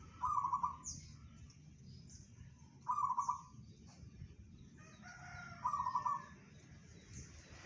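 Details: Local zebra dove (perkutut) with bedah karang song, said to carry 500 metres: three evenly spaced, bubbling trilled coo phrases roughly every three seconds, separated by quiet low background hum.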